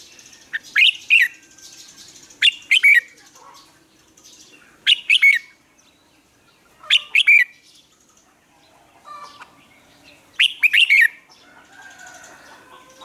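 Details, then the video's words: Red-whiskered bulbul used as a decoy singer to coach other birds. Five loud phrases of three or four clear, bright whistled notes repeat roughly every two to three seconds, with soft chatter between them. "Luyện chào mào hót sáng, hót hay, kích bổi sổ giọng nhanh 2020, luyện chào mào hót căng lửa"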